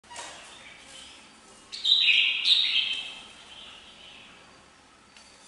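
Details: Kept red-whiskered bulbul gives one short, loud warbled phrase of bright whistled notes, falling slightly, between quieter stretches with faint chirps in the background.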